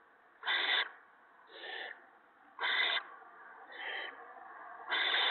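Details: Owlets being fed a gopher by an adult owl at the nest, evening of March 28, 2017; five raspy hissing screeches roughly every second, loud ones alternating with softer ones, over a faint steady hum.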